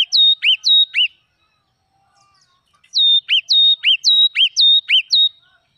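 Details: Red-whiskered bulbul in the wild giving a four-note whistled phrase, falling silent, then resuming with a longer string of about nine crisp, evenly spaced notes.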